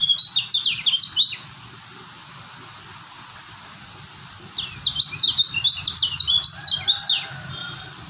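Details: Steady-singing kecial kuning white-eye from Lombok: a burst of quick, high falling whistles, a pause of about three seconds, then a longer excited twittering phrase of sharp downslurred notes.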